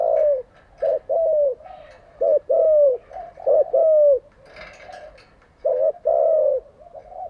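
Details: Spotted dove used as a training decoy for caged doves, calling in loud low coo phrases of two to three notes, each falling slightly, with short pauses and quiet cooing in the gaps.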